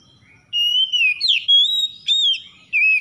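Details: Oriental magpie-robin (kacer) singing at dawn as a lure for stressed birds: sweet, sustained whistles that glide up and down, broken by brief pauses and one sharp upward slur, very clean and loud.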